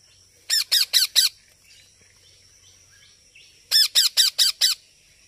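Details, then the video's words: Harsh calls of a baby parrot: a run of four rapid squawks, a silence of about two seconds with soft background chirping, then five more squawks, a steady high-pitched tone running throughout. "Baby Parrot Natural Sounds | Parrot Calling Sounds"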